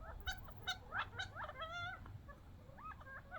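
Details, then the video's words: Young wild quail squabbling over bird seed near the desert; sharp clicking notes, then a drawn-out wavering whine, followed by softer looping chirps from other birds, with a low rumble in the background. "Quail fighting over seeds funny sounds"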